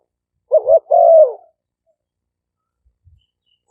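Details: Decoy recording of spotted doves from a dove camp in Roi Et province, Thailand, captured on a smartphone with noise removed; one phrase of a quick wavering note followed by a drawn-out, slightly falling coo, then quiet.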